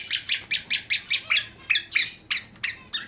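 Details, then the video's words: Black-naped oriole (kepodang emas), a tame bird from Klaten, Central Java, singing vigorously with full mimicry fill: a rapid series of short, harsh, high chirps repeated about every quarter second, with a quiet background. "Kepodang Emas Gacor Jinak Full Isian sampai Teller"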